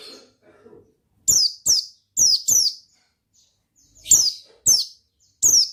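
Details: Oriental white-eye in energetic 'gacor ngalas' song, opening with soft low murmurs before a run of loud, high, falling whistled chirps, some doubled, spaced under a second apart.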